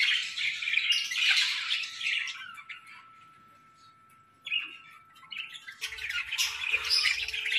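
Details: Budgies in a winter breeding setup twitter loudly, fall almost silent for a couple of seconds with a faint steady hum, then burst back into squawky chirping alongside low mechanical rumbling.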